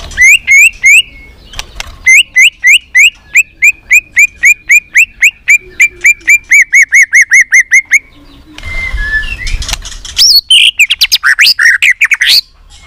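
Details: White-rumped shama multi-voiced song played to stimulate shamas into singing and tail-flicking: a long run of loud, rising whistled notes repeated several times a second, then a burst of rapid, varied, buzzier phrases.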